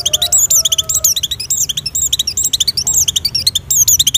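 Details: Oriental white-eye in breeding condition, sung to lure other white-eyes: quick bursts of high whistled, wavering notes and chirps, repeated in tight phrases, with faint lower tones in the background.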